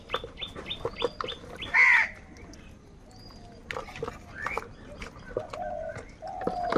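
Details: Crows squabbling over food give one loud, harsh, grating caw near the two-second mark. Rapid repeated chirps from other birds come before it, and scattered calls and chatter follow.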